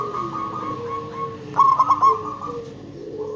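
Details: Local zebra dove singing as a lure: a single fast phrase of bubbling coo notes midway, set among continuous overlapping sustained tones.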